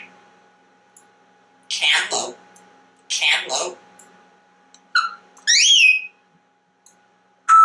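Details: Talkative pet African grey parrot speaking indoors about food. Two short bursts of human-like words are followed by rising and falling whistles and a final clear whistled note, in a quiet small room.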